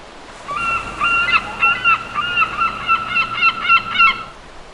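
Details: Gulls at a beach on a lazy day; a loud series of nasal, honking calls repeated about every quarter second for nearly four seconds.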